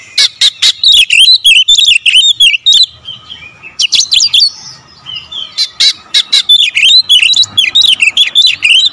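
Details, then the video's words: Oriental magpie-robin lure song in the 'tembakan rapat' style: sharp clicks open into long runs of varied wavering whistles, delivered roughly four times a second, irregular, with one short pause around the third second. "PANCINGAN KACER SUPER POWER TEMBAKAN RAPAT"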